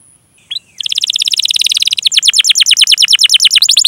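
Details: Canary singing, meant to coax young or silent canaries into song: after a brief whistle, a dense rapid trill, then a chain of quick descending chirps about three per second.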